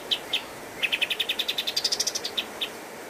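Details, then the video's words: Two separate high notes, then a quick trill rising slightly in pitch and two final spaced notes, from a pied triller singing master song used to train cage birds. "Masteran Kapas Tembak Gacor Terbaik 2022"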